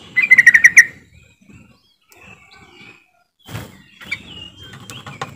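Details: Yellow-vented bulbul (trucukan) lure call meant to get quiet birds singing: one rapid burst of six bright pulsed notes, then faint scattered chirps and low rustling background noise.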